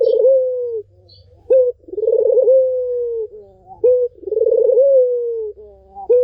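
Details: Barbary dove song used to lure a silent bird back into singing. Repeated phrases: a brief clipped note opens each, followed by a throbbing, rolling coo that smooths into a long, level, drawn-out hum. About three phrases, roughly every two seconds.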